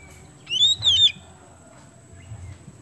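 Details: Oriental magpie-robin of the kemben type in vigorous song, used to prompt other birds to sing; a single brief high whistled phrase sliding up then down, followed by quiet low background hum.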